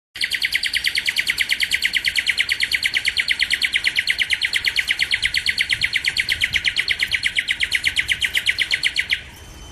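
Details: Black-capped donacobius, a South American swamp and wet-meadow bird that lives in pairs, giving a fast, even series of identical notes, about three per second, held unbroken for nine seconds before stopping abruptly.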